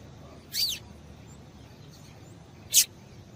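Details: Female Double-collared seedeater calling, a call used to warm up males and get them singing: two short, high chirps sweeping downward, about two seconds apart, over a quiet background hiss.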